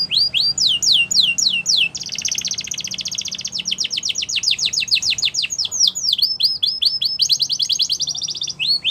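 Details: Canary chirping song used to get other canaries singing: long stretches of very fast repeated downward-sweeping whistles forming rolling trills, changing tempo every few seconds.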